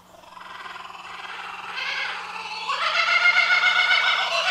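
A laughing kookaburra starts with soft, rapid chuckles that swell into a loud, raucous cackle of quick repeated notes, about four per second, over a faint steady hum.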